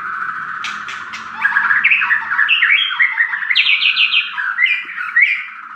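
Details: White-rumped shama singing a rich, varied song: clear whistles, then rapid rising and falling warbled phrases and bright trills that climb higher as the song goes on.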